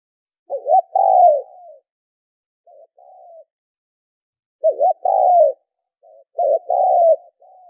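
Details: Spotted dove cooing for decoy-bird training. Two full phrases, each a stuttered double note leading into a long, soft, downward coo, are separated by fainter partial coos and long silent pauses.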